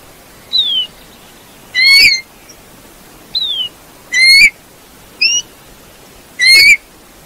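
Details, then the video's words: Eurasian bullfinch singing: alternating descending thin whistles and louder rising two-part piping notes, roughly every one to two seconds, over a steady low hiss. "chant de bouvreuils - song Pyrrhula - طائر الدغناش"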